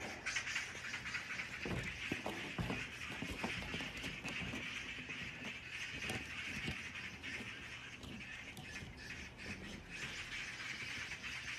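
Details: A group of neighbourhood magpies that had gathered, noticing the person secretly filming them, give harsh, rattling chatters in irregular bursts, several overlapping, over a steady high hiss of background noise.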